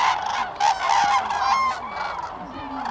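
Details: Common cranes gathered at Lake Hornborgasjon, Sweden, April 2017, giving overlapping bugling, rattling calls from a crowd of birds, steady throughout the short stretch.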